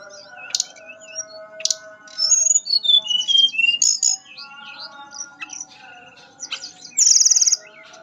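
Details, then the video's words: Mangrove blue flycatcher in sweet fluting nyuling song. Sharp isolated chips open a jumble of twisting high whistles and warbles, then a quieter spell and a loud buzzy trill at the end, over continuous faint tones. "Burung tledekan nyuling merdu"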